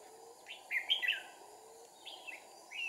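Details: Red-whiskered bulbul decoy singing during trapping of a wild bulbul at Kim Bôi, with two decoys in use, 2/4/2019: short warbled, slurred phrases in clusters, rising and falling, with faint steady background hiss.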